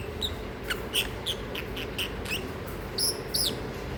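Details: A sleepy, noisy pet masked lovebird gives short, shrill chirps, about ten in four seconds at an uneven pace, over a low steady indoor hum.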